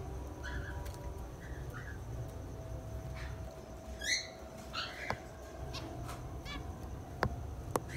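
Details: A male and female zebra finch give short, nasal, toy-trumpet beeps at irregular intervals over a low background hum.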